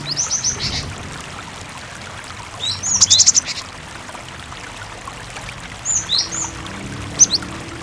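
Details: Cinereous tit singing prolifically, used as a master recording to prompt other tits to answer and sing; bursts of rapid high chirped notes in three separated groups over a steady background of running water.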